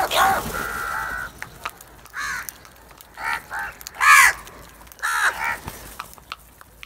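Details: A large flock of black crows attacking cheese: harsh hoarse caws in short bursts, several overlapping, one louder grating caw near the middle, with a brief flat tonal note early on and faint background chatter.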